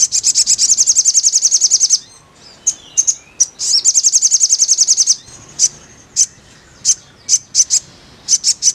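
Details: Crimson sunbird, used as therapy sound so a caged bird sings freely: two long, fast, high-pitched rattling trills of dense repeated notes, each about one and a half seconds, then scattered single sharp high chips. No other sounds.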